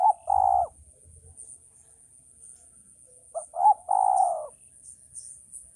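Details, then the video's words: Two coo phrases from a male spotted dove, the second with two quick short notes before a long husky falling coo, gaps of quiet between. "suara burung tekukur ajaran"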